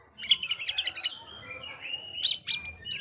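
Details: Oriental magpie-robin singing to provoke rival magpie-robins: bright, rapid chirping bursts, then a sustained thin whistled note, and finally another burst of sharp high chirps.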